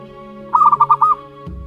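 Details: One short phrase of five or six fast, throbbing mid-pitched notes from a month-old young zebra dove of local wild lineage, over a steady background drone.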